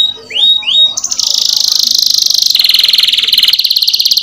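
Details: Canary song in the ngerol nembak style, played as a lure to get other canaries singing: two rising whistled slurs, then long, very fast, rolling trills that step down in pitch in blocks of about one second.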